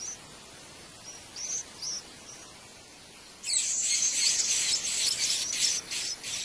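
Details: White-eyes feeding nestlings at a wild nest: a few scattered high chirps, then a sudden loud, dense, hissing chatter of rapid pulses that continues to the end.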